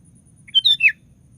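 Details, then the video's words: A brief sooty-headed bulbul phrase of three notes, whistled high then sliding down into a rough final note, from a vigorous singer kept as a lure to trigger other bulbuls' song. "DENGAR SUARA BURUNG KUTILANG GACOR satu ini"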